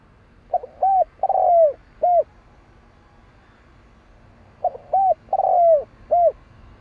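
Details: Spotted dove calling: two phrases of coos, each a short note, a clear arched coo, a longer rough purring coo sliding down, then a final short coo, separated by a pause of about two seconds.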